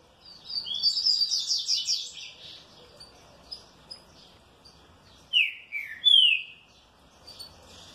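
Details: Well-kept green-winged saltator answering cheerfully, opening with a fast burst of repeated high, clipped notes for about two seconds, then after a pause two loud, slurred whistles dropping in pitch, followed by a bright rising note.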